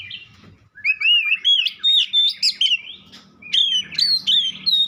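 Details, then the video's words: White-rumped shama pouring out rich whistled phrases with rising slurs and bright repeated notes, over a faint low hum. "Dengar kicauan Kacer satu ini dijamin langsung nyaut Kacer manapun"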